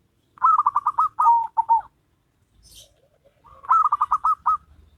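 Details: Zebra dove song in a duet of local and crossbred birds: two bursts of rolling, rapidly pulsed coos ending in a short trill, separated by a pause, with faint low background hum.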